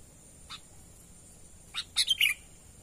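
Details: Sooty-headed bulbul natural call for luring wild birds: a lone faint chip, then after a pause a burst of three or four sharp notes sliding down into a slurred whistle.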